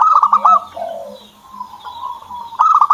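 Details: Kept zebra dove coaxed into singing: bright stuttered cooing bursts at the start and again at the end, with a softer lower coo between and faint higher chirps from other birds.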